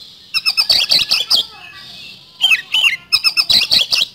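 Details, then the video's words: Kacer, the Oriental magpie-robin, singing nonstop as a lure in rapid speed-roll style: dense volleys of scratchy, clicking notes over a high whistle, broken by a short soft pause. "Pancingan Kacer Gacor Nembak Speed Roll"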